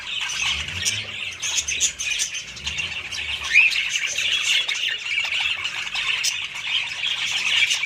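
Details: Budgerigars in a group, giving a dense, continuous chatter of warbles, chirps and squawks packed in the upper range, with one brighter squeak near the middle and faint low rumbling beneath.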